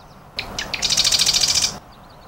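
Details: Marsh wren song: a few introductory chips, then a rapid, even buzzy trill of high notes repeated about twelve times over nearly a second, ending abruptly; faint background hiss.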